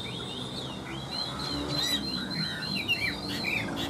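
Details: Captive Chinese hwamei, fairly tame, singing indoors on an overcast, rainy afternoon, pours out loud, varied whistled phrases that slur up and down without pause, with a low rumbling hum underneath.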